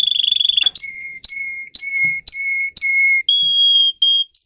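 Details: Russian canary bred for singing, tutoring young canaries: a fast buzzy trill followed by long held pure whistles, repeated at a lower pitch, then higher sustained tones.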